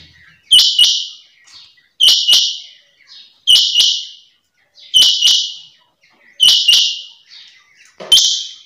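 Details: Female rain quail gives sharp, high double notes, repeated steadily about every one and a half seconds over a quiet background.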